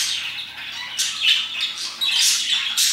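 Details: Parakeets chirping around 2pm, thin warbled twitters building to sharper, louder squawks in the second half of the clip.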